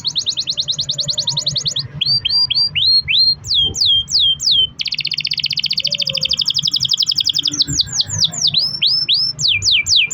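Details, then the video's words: Long-roll canary singing, played to prompt other canaries to sing. Rapid high rattling rolls alternate with runs of sharply descending whistled notes, steady and loud throughout. "kenari gacor ROL PANJANG buat pancingan kenari agar bunyi"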